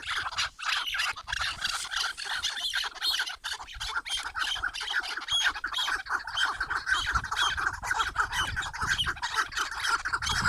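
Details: Chukar partridge chorus: a dense, continuous mass of harsh, raspy clucks from several overlapping birds, with no pauses over ten seconds.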